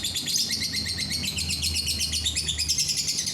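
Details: Lovebird song meant to prompt other lovebirds to sing: a continuous fast chattering trill of rapid, evenly repeated high chirps with a buzzy, dense texture throughout.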